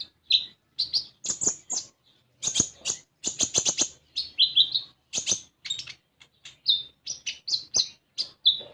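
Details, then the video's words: Common iora kept as a cage bird in Indonesia, a young untrained bird; rich varied song of short whistled and buzzy notes around high pitch, with sharp rapid clicks and a few slurred descending phrases, steady phrases for nearly nine seconds. "Konin Bahan Dijamin Langsung Bunyi"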